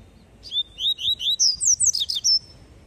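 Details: Loud, close tui tui song of a double-collared seedeater (papa-capim coleiro): around nine rapid, ringing whistled notes, sliding up and down, ending on a sustained thin high tone.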